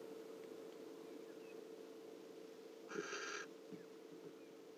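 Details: Barn owl picked up faintly from a separate webcam during a live safari broadcast: one harsh, hissing screech lasting about half a second, over a steady low hum and background noise.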